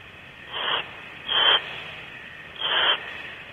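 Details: A pair of adult owls approaching a nest cavity at Starr Ranch at 10:25 pm on 4 July 2012, giving three harsh, breathy hissing bursts under a second apart, over steady background static.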